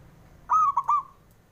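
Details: Male zebra dove calling, used to spur reluctant birds into singing: one quick phrase of three clipped, ringing coos run together, over a faint low hum.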